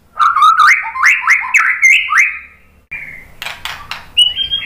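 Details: [4, 'White-rumped shama lure song meant to provoke other birds into singing: a run of four or five rising slurred whistles, then a pause, scattered clicks and a steady high whistle.']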